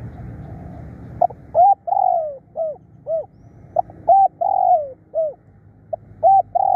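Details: Decoy spotted dove, called fierce and eager to call, gives irregular low coos with downward-sliding tails, some short and clipped, some longer, after an opening stretch of low background rumble.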